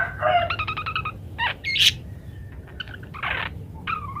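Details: Parakeet varied calling, kept as a training recording for munias: a nasal harmonic note run, sharp squeaks, a flat whistled tone and hoarse rasping bursts, separated by short pauses, steady low hum beneath.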